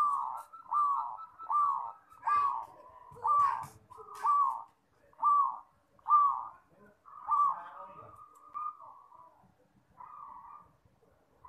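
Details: Zebra dove (perkutut), a young bird being trained, delivering a steady run of about ten bubbling coo notes roughly one per second, each hooked and falling, fading to softer notes at the end; faint clicks behind.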